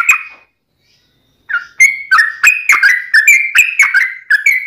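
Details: Trucukan (yellow-vented bulbul) song in the long ropel style: a brief whistle, a pause of about a second, then fast repeated warbled whistles at a steady high pitch with bright clicks, several phrases per second.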